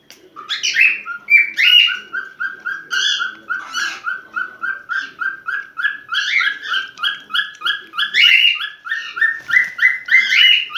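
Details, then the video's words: Cockatiel in heat calling to attract a mate: a steady run of short, bright chirped notes repeated about three times per second, mixed with higher warbled phrases and a few squeaky rising whistles. "Sultan papağan kızışma sesi cockatiel parrot heart sound"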